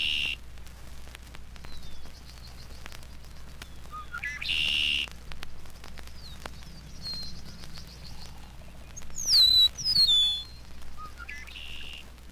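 Clear, slurred whistles from an Eastern Meadowlark, sliding down, come in short phrases. A red-winged blackbird's rising notes follow, over a steady low hum.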